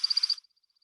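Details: An American Woodcock at Still Pond Preserve, New Canaan, in spring gives the wing twittering of its display flight. It makes a quick burst of five high, liquid chirps, then thin notes that grow fainter as it climbs higher into the air.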